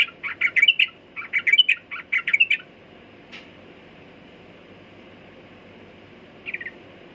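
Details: A sooty-headed bulbul gives about two and a half seconds of quick, rising chirps in small clusters. Then comes near silence with one faint note and a final short chirp near the end.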